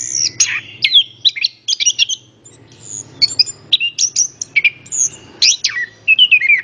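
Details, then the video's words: Full song of an orange-headed thrush meant to get other birds singing: a busy run of high chirps, falling whistles and short trills in quick succession, with a faint low hum underneath. "PANCINGAN BURUNG ANIS KEMBANG"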